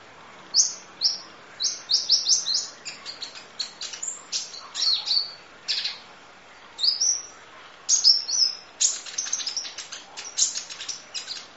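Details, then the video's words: Kolibri ninja, a sunbird, singing a long 'full isian nembak' training track: very high sharp chirps and quick downward slurs in dense bursts, with brief pauses between rattling runs. "Audio Master Masteran Kolibri Ninja Full Isian Nembak Durasi Panjang Kicau Burung"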